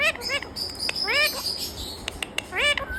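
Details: A talking parrot gives a short burst of rising harmonic calls, a longer voice-like phrase, then sharp clicks and one final upward-curving note, all close and clear.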